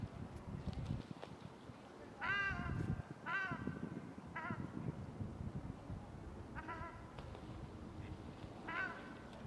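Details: A female ruddy shelduck at Špica, Ljubljana, on 28 January 2023, gives five nasal, drawn-out honking calls spaced one to two seconds apart, over a steady low rumble of city noise.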